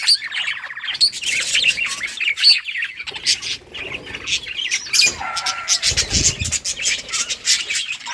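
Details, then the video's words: Colourful budgies at play in a colony, a busy chorus of high chirps, squeaky warbles and short whistled notes, steady chatter throughout with a lower rustling burst near the middle. "budgies beautiful colors playing and chirping sounds for lonely birds"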